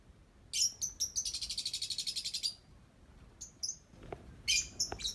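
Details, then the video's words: Lovebird singing: high, sharp chirps lead into a long, fast buzzy trill of evenly repeated notes, then more scattered squeaky chirps and a few soft knocks. "Love Bird Cantik Pinter Nyanyi"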